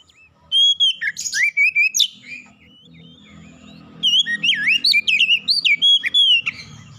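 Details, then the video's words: Oriental magpie-robin singing to stir another magpie-robin: bright whistled phrases with looping, wavering notes and quick chirps in two bursts around a short lull, with a faint low hum in the background. "PANCINGAN KACER CEPAT panas GACOR naik emosi bongkar isian"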